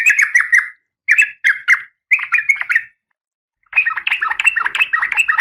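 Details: Female oriental magpie-robin in breeding condition calling the male: short clusters of three or four harsh, buzzy notes separated by pauses, ending in a longer, rapid, scratchy chatter.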